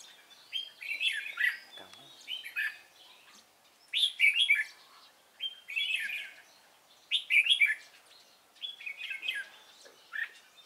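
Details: During trapping on 3 March 2017, a Cánh ruồi red-whiskered bulbul repeats brief liquid warbled phrases, about five bursts spaced a couple of seconds apart, clear against a quiet background.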